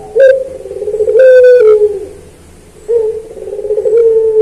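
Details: Puter pelung turtle dove cooing, recorded as a master track for training other puter pelung: two long phrases of deep coos running into rapid rolling trills and a drawn-out falling note, separated by a short pause, over low background hum.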